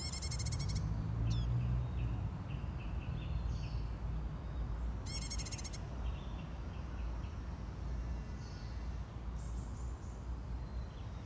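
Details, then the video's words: Common tailorbird giving two brief bursts of rapid, sharp, high notes several seconds apart, with faint chirps from other birds over a steady low rumble. "Common Tailorbird Call"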